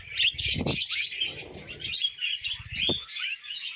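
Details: Budgerigars kept as pets, eating vegetables, fill the air with excited high chirping and warbling; soft crunching and a few low taps sound beneath.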